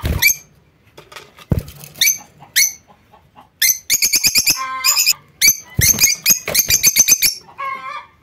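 Lovebirds give shrill, harsh chattering calls in quick bursts, with a few sharp high chirps and some broadband bumps and flutters between them.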